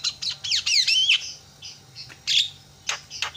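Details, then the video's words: Javan myna calling to set off other mynas: quick whistled swoops and slurred up-and-down notes at the start, then scattered harsh squawks and clicks. "JALAK KEBO SUARANYA BIKIN JALAK PADA TERIAK"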